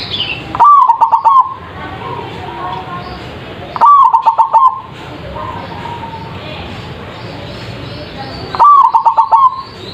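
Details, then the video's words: Zebra dove song played as a lure so birds answer: three strong cooing bursts, each a brief rising note followed by a rapid pulsing trill, spaced roughly four seconds apart, with quieter background bird calls between phrases. "PANCINGAN PERKUTUT anti GAGAL suara GEDE langsung nyaut.!!!"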